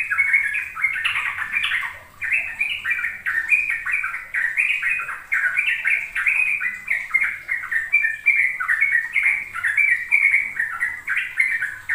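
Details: Ropel-style song of sooty-headed bulbul used as a training lure for young birds: rapid chattering phrases of warbled notes, nearly continuous, with one short pause after about two seconds, then steady rolling notes.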